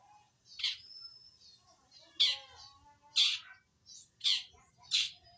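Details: Long-tailed shrike, a young wild-origin bird starting to sing, repeating harsh rasping notes roughly once a second, with a thin high whistle and soft chattering in between and a faint low rumble.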